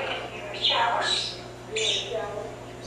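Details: Pet African Timneh parrot indoors, just starting to vocalize a little: two loud, harsh, broadband squawks, each around half a second long and separated by a quieter gap, with a low steady room hum underneath.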